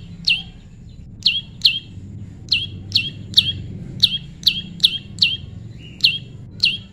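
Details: Prinia in natural pairing repeats high, clipped, downward-sweeping chirps about thirteen times, in loose clusters of two or three, with little else heard.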